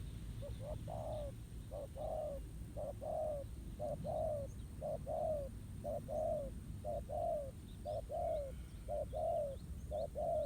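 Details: Spotted dove at a decoy ground trap in the countryside, cooing in an even beat: repeated short-long coo pairs, slightly falling, nearly once a second, with faint distant chirps and low hum.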